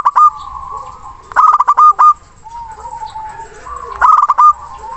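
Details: A local zebra dove with a strong voice sings to lure a rival. Three loud bursts of quick staccato coos are separated by softer, wavering cooing from other doves.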